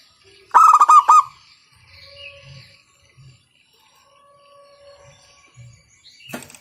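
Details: Local zebra dove, loud call meant to stimulate other doves to sing: one short rattling burst of about six clipped cooing notes, then quiet with faint thuds and a brief final note.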